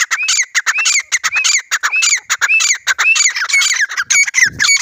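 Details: Grey francolin, desi teetar, in a fight: loud harsh repeated notes with a rising then falling shape, delivered in a quick steady series about twice per second.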